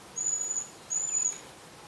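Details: Young Eurasian pygmy owl perched on a branch in a Jura forest, Switzerland, calling to its parents; two thin, very high, drawn-out whistles, each about half a second long, with a short gap between, against faint forest background.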